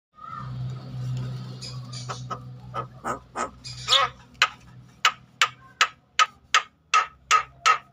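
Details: Agitated Javan myna, its song used to stimulate other mynas to sing. A low hum opens, then harsh, rasping broadband notes start and repeat evenly, roughly three per second, growing louder toward the end.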